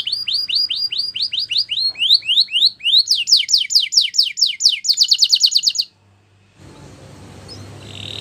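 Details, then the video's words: Belgian canary training song with rapid repeated swept whistles in changing phrases, speeding into a very fast, bright trill before stopping abruptly, followed by a few seconds of faint hiss. "Beautiful Singing From The Belgian Canary!!"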